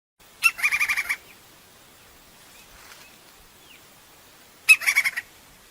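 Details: A wild crimson-crested woodpecker (Campephilus melanoleucos) in nature gives two bursts of rapid, harsh, high chattering notes, about eight per burst and four seconds apart, over a quiet natural background.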